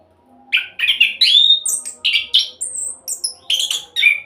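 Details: Orange-headed thrush delivering a speedy rolling song as a singing lure, mixing rich slurred whistles, a drawn-out rising note and high thin tones in a dense continuous run.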